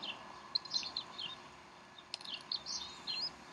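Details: Bald eagles at the Decorah nest on 12 April 2012, 3:10 pm Central Time, mother feeding the young; brief high chirps and short slurred notes come in scattered bursts, with steady background hiss.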